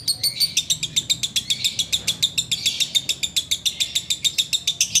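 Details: Ngekek-style song of a sooty-headed bulbul during the wait to break the fast: an unbroken chatter of bright, high notes, evenly spaced at roughly three to four per second throughout.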